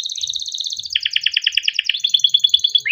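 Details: Bright rapid canary song in the 'gacor' style used to set other canaries singing: fast high twittering notes, then a steady pulsed trill of strong repeated chirps for the remaining seconds.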